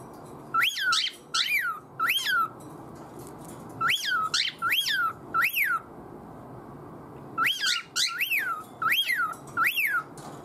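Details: Household cockatiel calling for notice from its owner with peculiar, meaningless sounds; clusters of three or four arched, harmonic-rich whistles repeat after pauses of about two seconds, roughly eleven calls overall.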